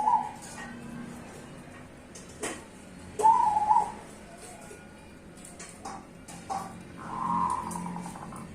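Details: Cemani and Bangkok zebra doves in duet give fainter rolling coos at intervals, mixed with sharp clicks and knocks and a soft background hum.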